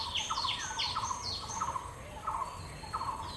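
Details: Male bronze-winged jacana with chick on floating water hyacinths, Purbasthali wetlands, India; quick descending high notes alternating with lower buzzy chatters, repeated steadily at roughly two per second, with a faint low rumble underneath.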